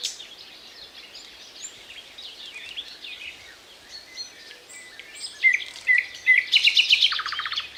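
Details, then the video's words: Thrush nightingale song that begins faint and scratchy, then turns loud with sharp clicking notes and a fast, hard, ticking rattle near the end. "Соловей поёт чарующие пения соловья"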